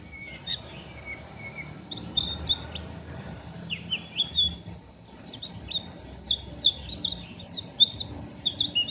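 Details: Oriental white-eye, still a raw bird, pouring out rough ngeriwik chatter: a few soft notes, then increasingly rapid, loud bursts of high, sharp, slurred chirps, about two to three per second, in quiet surroundings.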